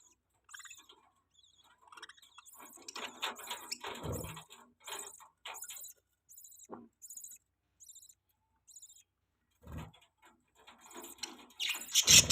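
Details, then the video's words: A pet budgerigar feeding its chick, giving soft high chirps and scratchy twittering in short irregular bursts separated by quiet gaps, with a few rustling thumps and a louder burst of chatter at the end. "budgie bird feeds there baby 🐥 | budgies chirping sounds"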